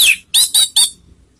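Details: Orange-headed thrush lure call: one sweeping harsh note followed by three rapid, rasping squawks within a second.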